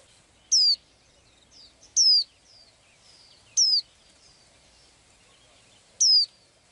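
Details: Blue-eyed little bird singing its everyday song: four piercing, descending whistled notes at irregular gaps of about one to two seconds, with softer thin high twitters between them.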